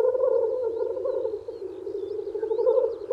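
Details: Male black grouse displaying at a spring lek to court females give an unbroken, low, rolling bubbling drone, with faint higher chirps of other birds in the background.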